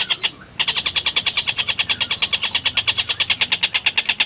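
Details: Tengkek buto, the long-tailed shrike, in full voice for a masteran tutor recording: after a short break comes a long, unbroken run of harsh, rasping notes repeated about three times a second, steady and insistent.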